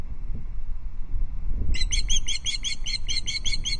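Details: Female osprey on a perch at a Loch Arkaig nest camera, 5 August 2022, evening, alarm calling at an intruder osprey flying in the distance: after quiet rumble, a rapid run of about a dozen sharp, high chirps begins and continues to the end.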